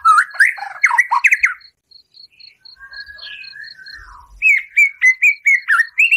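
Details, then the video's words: White-rumped shama in full, energetic song packed with harsh 'tembakan' bursts, used to stir a captive shama's emotion: fast varied whistled and buzzy phrases, a softer mid-section with a drawn-out note, then evenly repeated clear whistles, with a steady high ticking throughout. "Murai Batu Gacor Full Isian Tembakan kasar, Sangat Ampuh Untuk Pancingan Emosi Murai"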